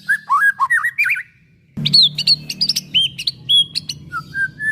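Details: Song of the white-rumped shama, played to stimulate other shamas: rich, looping whistled phrases, then after a short pause a string of varied high chips, clear held whistles and soft rising notes, over a faint hum.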